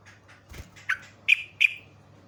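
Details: Yellow-vented bulbul giving calls used to lure other bulbuls: three sharp chirps, each bright note dropping and trailing off, with a fainter softer chirp before them over a low steady hum.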